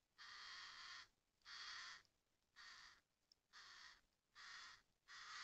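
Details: Adult and young common ravens in forest in Russia's Murmansk region: five long, rasping, hoarse calls, each lasting about a second, repeated at a steady pace with short pauses between them.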